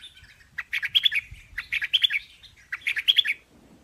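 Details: Chinese hwamei singing; short bursts of bright chirped and whistled notes, grouped into phrases about one second long, repeating roughly every second with brief pauses, the highest notes ringing clear.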